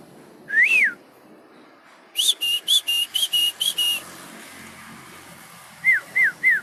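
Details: Javan myna, nodding as it sings: one loud arched whistle, a rapid series of harsh, buzzy squawks, then three short falling whistles after a pause.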